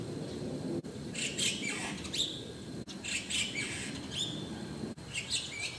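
White-cheeked starling giving high, squeaky, chattering notes in short bursts about every two seconds, over a steady low rumble of wind.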